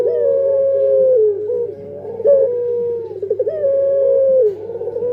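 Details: Puter pelung dove giving two long, steady coos that dip at the end, separated by a fluttering trilled passage, with a low background hum.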